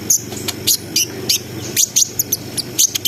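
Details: Brown-throated sunbird in vigorous 'ngriwik ngerol sambung nembak' song, played to raise breeding arousal: sharp, very high chirps in short bursts roughly every half second, each note a bright downward flick, over a low steady hum.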